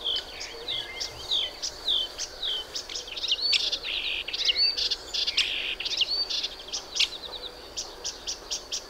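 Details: Song of a Melodious warbler, starting with a few slurred whistled notes and swelling into a hurried, tumbling babble of high chirps, trills and scratchy notes with brief pauses, in a quiet natural setting.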